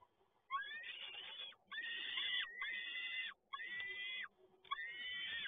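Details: Male peregrine falcon brings another prey delivery at Toruń, 7 May 2022; five drawn-out, rasping, strained calls follow one another with short breaks, each about a second long, against a quiet hiss.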